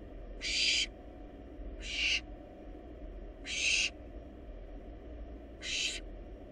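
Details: Wild barn owl nestlings in a monitored nest box, feeding on a large rabbit: four harsh, noisy hissing screeches of about half a second each, spaced roughly every one and a half seconds, over a steady low background hum.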